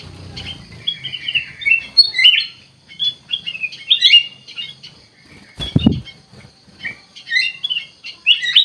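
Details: Kutilang emas bulbul singing: sweet warbled phrases of slurred chirps in short bursts, interrupted once by a loud dull thump, then continuing in lively fragments.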